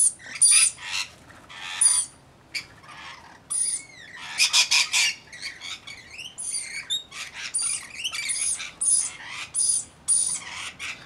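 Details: Rainbow lorikeets, a flock of roughly 40 attending a single baby, chatter continuously: harsh screeches, rapid buzzy notes and brief upward-curving whistles packed densely together, several birds calling over one another.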